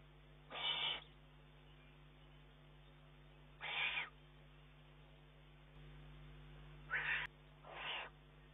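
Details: Eurasian eagle-owl chick, June 2011, begging its mother for food despite prey being available. Four hoarse, noisy hisses, the first two about three seconds apart, the last pair close together, with faint background hum.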